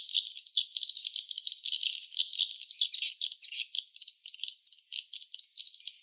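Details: Swiftlets at their nest site, giving a dense, continuous rattling chatter of rapid high-pitched clicks and twitters, pulsing unevenly several times a second throughout, with no other sounds.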